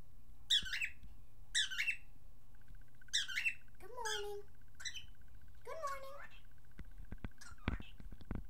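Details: Pet cockatiel indoors, said to say good morning, pretty bird and step up: a run of squawky chirps, then two longer warbling, speech-like phrases, followed by clicks and tapping sounds.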